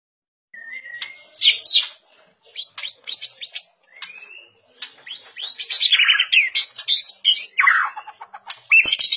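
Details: White-rumped shama, a popular 'fighter' murai batu with a distinctive voice: a rich, varied song of rapid high chirps, sweeping whistled slurs and buzzy trills, delivered in dense bursts with short pauses.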